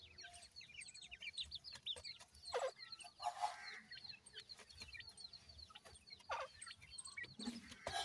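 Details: Young Indian pheasant (teetar) chicks in captivity, giving a dense chorus of high, thin, quick peeps with scattered louder clicks and knocks between the calls.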